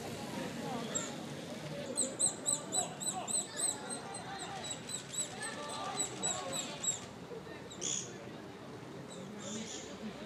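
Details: Japanese pygmy woodpecker chick close to fledging, peering from its nest hole and fed by a parent in a park on 15 May 2022. Two bursts of rapid, thin, high squeaky notes, with a faint murmur of voices behind.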